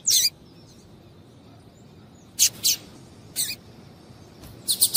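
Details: Female double-collared seedeater (coleiro tui-tui) calling to stimulate a male: a few short, very high, buzzy chirp bursts, single or in pairs, spaced irregularly over quiet low background hiss.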